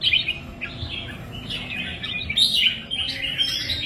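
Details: Red-whiskered bulbul, a kept songbird of the kind trained for singing contests in Vietnam; a lively run of warbled, chirping phrases, bubbling and rising and falling, steady throughout with faint room noise beneath.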